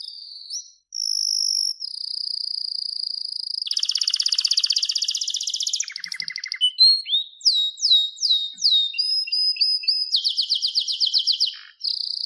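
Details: Long continuous canary song: steady high whistled tours, a loud buzzy rolling trill, rapid sweeping down-slurred notes and further quick trills, varied and unbroken for about twelve seconds.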